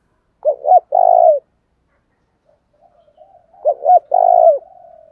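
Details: Spotted dove giving the 'thổ đồng thúc đấu' calling style, used to provoke fighting and lure wild doves: two identical low cooing phrases, each two short hoots and then a longer, slightly falling coo, with a soft warble between them.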